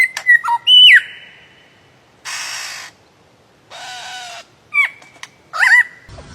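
A lyrebird gives sharp whistled notes and quick swooping whistles, broken by two long, harsh hissing bursts like mechanical noise.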